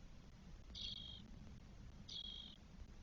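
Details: Spotless Starling nest in Spain, 1 June 2022, with four 12-day-old chicks. Two faint, hissy, level rasps about half a second long are heard over a quiet low hum.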